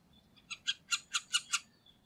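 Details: Middle spotted woodpecker recorded at Liepāja, Latvia, November 2023, giving six harsh, quacking nasal notes evenly spaced about a fifth of a second apart, in a short burst over quiet background.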